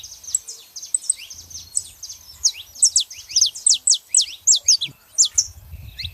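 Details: A male and female saffron finch vocalizing: a fast, uneven stream of high, thin downslurred notes that grows louder and denser toward the middle, about two notes a second at its peak, over faint low background rumble.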